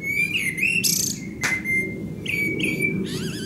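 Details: Eurasian blackbird singing at sunset in Akersloot, Holland, on 30 March 2018: clear whistled phrases near the middle range, with brief high twittery flourishes, a long thin steady whistle and a rumbling low background hum.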